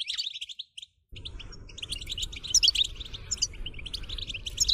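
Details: Goldfinch 'batbata' song used to stimulate singing; rapid bright twittering continues while a loud broadband rushing noise starts after the first second and persists under the song.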